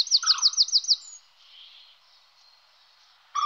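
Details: Common kingfisher pair looking for a nest site: a rapid run of six shrill, high whistled notes, followed by quiet, and then one more abrupt high note at the end.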